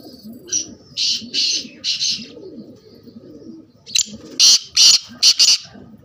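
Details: Black francolin calling two harsh, grating phrases of rasping notes, three or four notes each, over a background of soft cooing from other birds.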